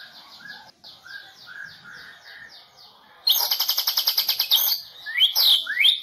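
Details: A national-champion Medan white-rumped shama from the 2018 Presiden Cup pours out a series of falling whistled slurs. It breaks into a loud, rapid pulsed chatter of cililin-style shots, then sharp rising sweeps.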